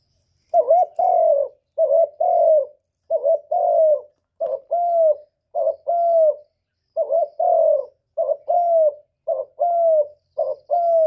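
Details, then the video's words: Spotted dove coo used to lure birds into traps and rouse kept birds: a steady stream of paired mellow notes, a short clipped coo followed by a longer falling one, repeated without long pauses. "Tiếng cu gù cực chuẩn dùng đi bẩy, kích chim nhà hiệu quả"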